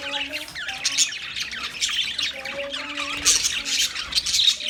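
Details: High scratchy chirps and squawks of Australian budgerigars over faint, steady lower tones, the chatter rising in louder bursts toward the end.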